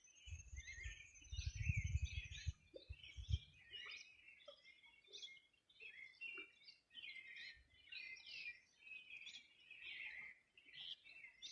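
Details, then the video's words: Several wild birds singing on a summer morning in 2020 on the bank of the Rio Bueno, Region de los Rios: dense overlapping chirps and twittering phrases throughout, with low rumbling wind or handling thumps during the first three seconds. "Sonido de las aves a orilla del Rio Bueno"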